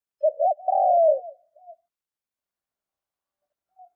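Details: Spotted dove decoy bird in training: a single coo phrase of two short notes and a prolonged, smooth, falling coo, trailing into a soft final note, then quiet.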